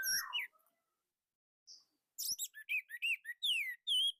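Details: Indonesian orange-headed thrush singing a tight, loud song. A harsh opening note, a long pause, then a run of bright, clipped whistles with sharply dropping and rising slurs, repeated about every quarter second.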